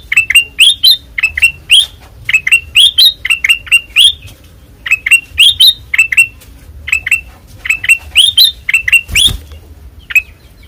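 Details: Ruby-throated bulbul (kutilang emas), white-eyed, in lively ngeplong song: clusters of bright chirps and upslurred notes, separated by short gaps, with one brief broadband knock late on.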